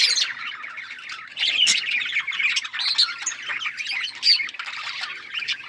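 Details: Budgies chatter in overlapping high chirps and scratchy squawks, a steady jumble of warbling notes with a few louder sharp calls standing out.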